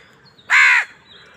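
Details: One loud, harsh, drawn-out caw lasting about a third of a second, from crows fighting for food, over a quiet background.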